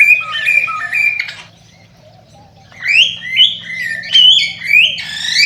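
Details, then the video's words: Cockatiel warbling to encourage breeding: a few stepped two-tone whistles, a silent gap, then loud squeaky rising and falling whistled notes in pulses about every half second, with a low hum throughout. "صوت تغريد طائر الكوكتيل"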